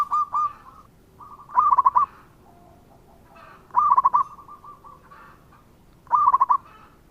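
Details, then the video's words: Local zebra dove singing actively, used as a lure recording: three cooing phrases about two seconds apart, each opening with a quick stuttering burst of notes and trailing into softer, evenly spaced coos. "Perkutut Lokal Gacor dengan Suara ini"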